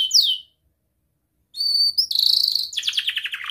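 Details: Young canary singing, kept to train other canaries: a high downward-sweeping whistle, a pause, then bright whistled notes leading into rapid buzzy trills repeated several times a second.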